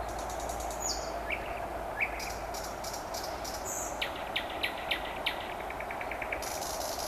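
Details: Common nightingales singing on a May evening near Vyazniki. Several birds give high whistles and sharp clicks, then a rapid run of evenly repeated staccato notes, over a steady background hum.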